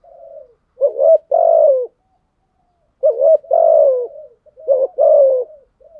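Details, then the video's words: Challenge cooing of a spotted dove, 'gù đấu': three phrases about two seconds apart, each a short rising note then a longer, loud, gently descending coo. Quiet background. "Thúc gù chim cu gáy bài bản nhất hiện nay. gù thúc bài bản, kích bổi rất riêng gáy, cu đất gù đấu"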